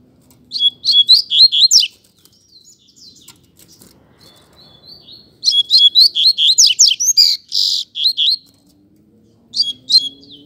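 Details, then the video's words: Double-collared seedeater in a singing contest, giving loud series of rapid, repeated down-slurred whistled notes in three phrases separated by quieter gaps, with faint background hum. "Coleiro Disputa de Canto"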